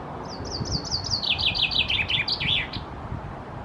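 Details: A male common chaffinch perched in a tree in Helsinki, Finland, in June 2018 sings a bright song: a quick run of sweet notes dropping down the scale, speeding up to a flourish, over low rumble.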